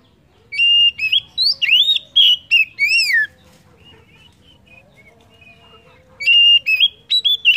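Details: Oriental magpie-robin singing as a stimulus for other birds: a three-second series of clear whistles and down-slurred notes, a quiet interval with faint soft tones, then the bright whistling resumes.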